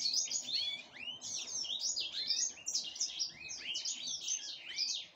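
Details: Black-headed canary in breeding preparation, pouring out a continuous high, fast warble of arched slurred notes and trills with barely any pause.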